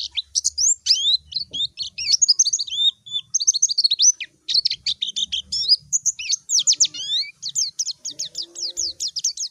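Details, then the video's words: A white-eye calls to a rival in a clean recording. A fast, high, thin twitter of slurred chirps and short whistles pours out almost without pause, ending in a run of evenly spaced, falling notes. "Masteran suara burung PLECI MANGGIL LAWAN || suara JERNIH"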